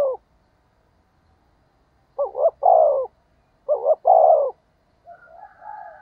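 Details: Spotted dove cooing to attract wild doves. Two phrases, each a brief quavering double note then a long low falling coo, with a faint softer call at the end.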